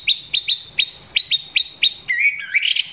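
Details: Caged Chinese hwamei recorded close up, its song not yet at full strength: a run of sharp upward-flicking notes near 4k repeated about every quarter second, then a rising, wavering whistled phrase.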